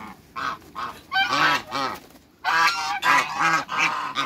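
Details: A pair of large African geese in a backyard, honking loudly: harsh, nasal honks in quick runs, about two per second, in two bursts separated by a short pause.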